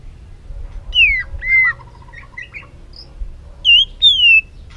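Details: White-rumped shama singing, used to provoke a bird into varied song: clear falling whistles separated by soft chirps and a brief trill, ending with two long, descending whistled notes.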